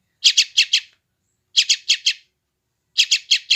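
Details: Bursts of four quick, grating chirps from a young sooty-headed bulbul, repeated about every one and a half seconds; West Java, recorded with an Android phone, no background noise. Intended to get newly trapped wild birds calling back.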